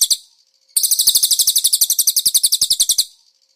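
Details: Konin singing cililin-style phrases, used as a master recording for cage birds: one short note, a pause, then a rapid two-second string of sharp, high, buzzy pulses.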